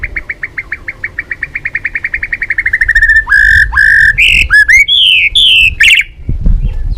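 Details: Lure song of a white-rumped shama, balak 6 type, opening with an accelerating string of short repeated notes, then loud, drawn-out whistled phrases that slur up and down.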